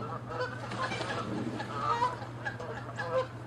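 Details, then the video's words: Canada geese fighting with loud territorial honking, chasing and attacking; a continuous run of harsh, nasal honks with clear harmonic bands, rising and falling, plus a low background hum. "Geese fighting & honking loud sounds"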